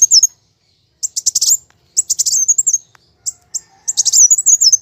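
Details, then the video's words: Repeated bursts of fighting song from a plain sunbird, high and rapid chirps run together into short quivering trills, the last phrase longest and most warbled. "Kolibri Wulung (Kowul) Gacor Tarung"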